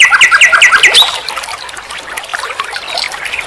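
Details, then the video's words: Nightingale (sikatan londo) on a master recording for tutoring caged songbirds: five loud, evenly spaced rising whistled notes, then a quieter tangle of soft chirps and ticks. "Masteran SIKATAN LONDO || NIGHTINGALE BIRD, Guru vokal semua burung kicau."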